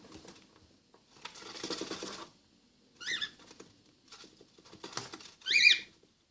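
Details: Newly hatched baby cockatiel chick: two short, raspy, wavering chirps near the middle and end, separated by soft shuffling and scratching sounds in a small indoor space.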